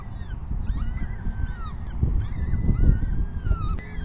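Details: Peregrine falcon chicks beg at a 6 PM feeding on 14 May 2021, giving drawn-out, slurred whines and short clipped cries that overlap, over low rumbling and a few knocks.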